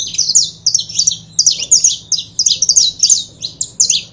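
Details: Saffron finch pair in song, a busy run of sharp, high, slurred chips following one another almost without pause, with a quiet steady hum in the background.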